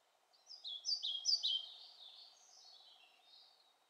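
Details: European pied flycatcher singing: a short, quick phrase of high, sweet, falling notes, then a softer trailing warble, with faint low rumbling beneath.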